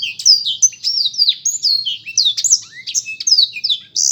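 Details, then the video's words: Black-throated canary singing a fast, unbroken stream of high whistled notes, quick descending slurs and trills with varied, twittering phrasing. "burung blektroat memang keren ....suaranya"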